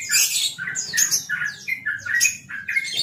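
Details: Champion yellow-vented bulbul (trucukan) singing in relaxed 'ropel' style: quick chattering bursts of short, bright, slurred notes, partly rising and falling, repeated in tight phrases about every half second. No other clear sounds.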